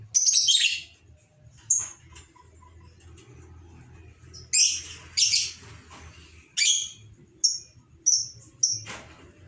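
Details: Excited lovebird as a lure sound: an opening harsh chatter followed by a series of short, piercing high chirps spaced a second or so apart, over a steady low hum.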